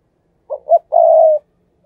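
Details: Spotted dove kept as a lure for wild doves, cooing in thúc gù style: a quick low hoot, a second short note, then a long level coo, and a faint start of another note at the very end.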